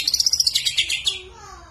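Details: Greater green leafbird in song with mimicked fills: a quick run of bright, high chipping notes that slows and fades after about a second.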